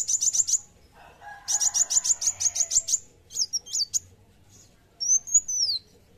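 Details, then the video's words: Olive-backed sunbird singing in fighting mood: a quick, high, thin series of sharp ticking notes, then a buzzy rapid trill of clipped chips, a pair of twisting squeaks and a final slurred whistle, with brief pauses between bursts. "Kolibri wulung gacor fighter"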